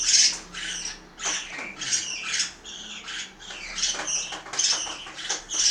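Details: Domestic parakeets feeding in Itaim Paulista, São Paulo: dense, overlapping grating squawks from several birds, irregular and nearly continuous through the stretch.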